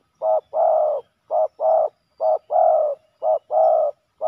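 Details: Spotted dove males clashing hard at a ground decoy in Thailand. They give steady, husky coos that alternate a short clipped note with a longer rolling one, about one per second, with no other sounds.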